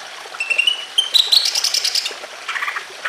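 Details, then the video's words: Greater green leafbird giving thin high whistles that break into a rapid bright chatter, then a lower burst of rattling notes, over gently trickling water. "BIKIN CUCAK IJO LAIN IKUT BUNYI EMOSI"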